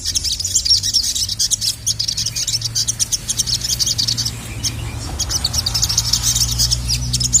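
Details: Excited sogok ontong calling to attract a male: a continuous stream of very high, fast chirping notes with brief pauses, steady low background hum underneath.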